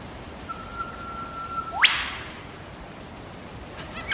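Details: Wild lyrebird recorded in Megalong Valley, Blue Mountains, Australia: a long, steady, level whistle is held for over a second, then a sharp upward whip-like crack ends it, followed by faint distant notes.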